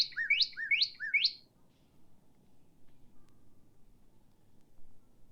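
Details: Northern Cardinal in the Ottawa Valley in winter singing its typical song, three loud, clear downward-slurred whistles in quick succession, then quiet with a low background hum; territorial males announce territory from treetops.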